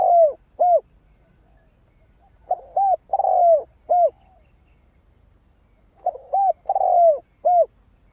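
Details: Spotted dove song meant to excite decoy birds and draw in wild ones: mellow low coos in repeated phrases, each with a long descending middle note and a crisp final coo. Phrases are separated by about two seconds of silence.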